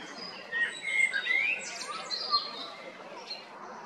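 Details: Male common blackbird in Zagreb, Croatia, spring 2022: several rich whistled notes that climb upward, followed by thin high twittering, then quieter fading phrases with background noise.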